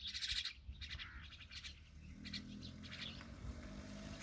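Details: Myna chicks being fed by their parent, giving a quick burst of high, squeaky chirps at the start, then scattered short chirps over a steady low background rumble.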